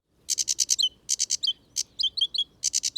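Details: Sedge warbler singing in wet ditch and pond habitat at Gibraltar Point, Lincolnshire; loud, high-pitched, varied song of rapid buzzy stuttering bursts mixed with sharp whistled notes, clean recording.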